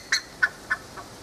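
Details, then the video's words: Buff-necked ibis (Theristicus caudatus), a pasture bird, at Tupi Paulista, São Paulo, Brazil, gives four loud, harsh, metallic notes about a third of a second apart, fading with each one, against a quiet background. "O canto da curicaca"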